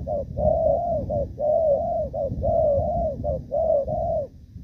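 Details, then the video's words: Thổ Pha cooing from a moulting spotted dove, recorded 3 June 2024: strong, continuous run of low coos, short lead notes running into long slurred ones, about once a second, over a steady low rumble. "Thổ Pha | chim đang lông nhưng dàn rước với nước gù cũng tốt"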